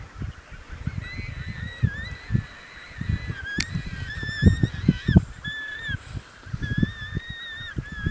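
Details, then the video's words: Emperor penguins in a crowded, noisy Antarctic colony: several drawn-out whistled calls with wavering, slightly rising and falling pitch, some overlapping one another, over steady low rumbling wind and thumping noise. "Various Moments of Penguins Making Sounds"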